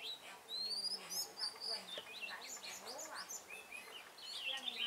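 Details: Oriental magpie-robin giving a rapid, varied run of clear high whistles and short sweeping notes, apparently a fighting/challenge song used in trapping, with faint low voices in the background.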